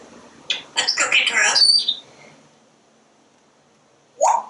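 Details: Parrot on a screened back porch talking as it watches squirrels and birds. A quick string of choppy speech-like syllables ending in a thin whistle, then a short lower utterance after a pause.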